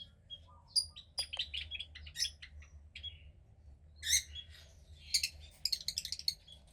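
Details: Second-hatch female cockatiel chick, about 15 days old, from pied parents, gives busy scratchy chirps and squeaks, then louder hoarse bursts and a rapid stutter of raspy notes near the end.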